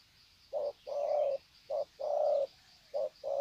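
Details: Wild-caught spotted doves exchanging greeting coos at Sesan, Vietnam, 21 February 2020; loud, close, soft hollow notes alternating short and drawn-out in quick pairs, about three pairs in a few seconds.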